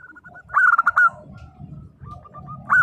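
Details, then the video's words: Local zebra dove singing energetically in the 'nembak' style, used to prompt silent birds to answer: a loud burst of rapid coarse notes, then a run of soft evenly spaced hooked coos, with a low rumbling background. "perkutut lokal gacor _suara nembak perkutut lokal bisu_ 100% LANGSUNG NYAUT"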